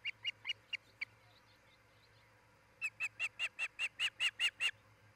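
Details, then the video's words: Osprey at a nest of a breeding pair in Charlo, Montana, live cam, early morning July 10, 2018, giving loud, high, clipped whistled notes: a short burst of five, a pause, then a steady run of about ten, quickening and louder. "Osprey Nest"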